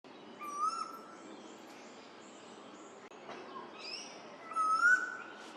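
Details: Male Eastern Koel, the 'rainbird', calling across the Lane Cove River valley in Australia, announcing its spring arrival. Two loud, clear rising whistled notes about four seconds apart over a quiet bush background with faint high bird chirps.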